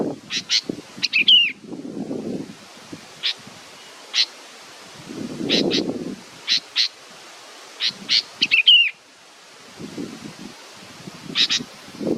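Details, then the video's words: Young bird waiting for its mother gives a long series of high, clipped chirps, single and paired, broken twice by quick slurred twittering, with bursts of low rustling between. "A beautiful baby bird is waiting for its mothe"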